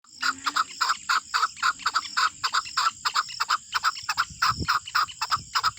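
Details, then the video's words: Male pet chukar (desi chakor) let loose outdoors gives a loud, harsh series of clucking 'chuck' notes, about three each second, over a steady faint hiss. "Keklik Sesi || Chukar Desi Chakor ki Awaz"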